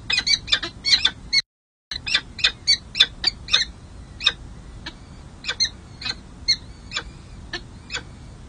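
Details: Nest camera at San Jose city hall, May 2024: peregrine falcon chicks calling at their first feeding after hatching, a long run of sharp, high, clipped squeaks, loud at first then spaced and fading.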